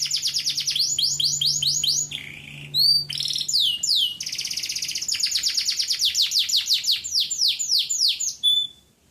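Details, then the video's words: Male local-breed domestic canary singing a flawless song used to teach young canaries: fast trills of high, downward-sweeping notes, buzzy rolls, a few pure whistled tones and a final sustained whistle, continuous and loud indoors. "تغريدة ذكر كناري بلدي نار 🔥 بدون أخطاء لتحفيظ صغار الكناري على التغريد"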